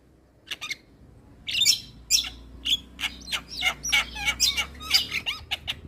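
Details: Javan myna in lively song for training other mynas: a string of scratchy, explosive rasping notes with squeaky whistled overtones, beginning sparsely and then coming in quick succession over a faint low drone.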